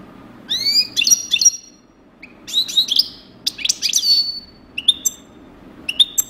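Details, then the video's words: European goldfinch singing in the style called coupleur: rapid bright twittering phrases, upward-sweeping whistles, tinkling high notes and buzzy trills broken by short pauses, over quiet background. "chardonneret coupleur"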